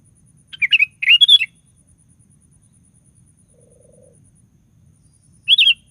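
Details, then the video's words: Sooty-headed bulbul singing as a lure to set other bulbuls singing: two bubbly chattering phrases, a long pause with a faint low buzz, then one more short warbled phrase. "DENGAR SUARA BURUNG KUTILANG GACOR"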